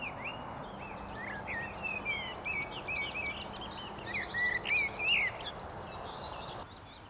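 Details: Common blackbird singing from high up at a new birding site on a day of very loud birdsong. It gives fluty, mellow warbled phrases over a busy chorus of higher twittering birds and a steady outdoor hiss.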